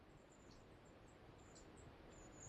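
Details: A family flock of long-tailed tits passing by the River Wye in late summer, September, giving very high, thin, short notes scattered irregularly, over a steady low rumble of wind or river.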